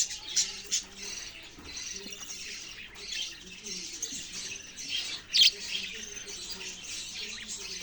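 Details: Budgerigars chattering: a dense, continuous warble of scratchy chirps and squeaks, with sharper, louder chirps near the start and around five seconds, over a faint low hum.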